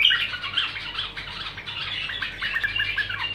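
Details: Bulbul's uninterrupted warbling, a busy, scratchy stream of chirps and twittering notes throughout, with a faint hum beneath.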